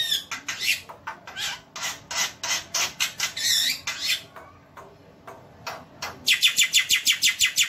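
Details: Javan white starling masteran song: a run of harsh rasping notes, a short quiet gap, then a rapid burst of bright clipped notes repeated about three per second.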